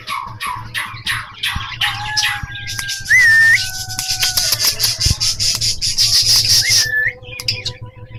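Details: A cockatiel named Falk gives rapid chattering chirps and clear rising whistles, with a low hum underneath.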